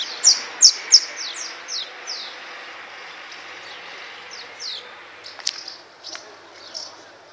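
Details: Flying swallows in Csíkszereda's Tudor quarter give quick bursts of thin, descending chirps, loudest in the first two seconds, then thinning into scattered fainter notes over low hiss.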